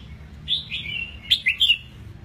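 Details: Red-whiskered bulbul, eight months old and kept in a cage, just finished moulting, sings a short bright phrase of whistled slurs, rising and falling, ending in quick emphatic notes.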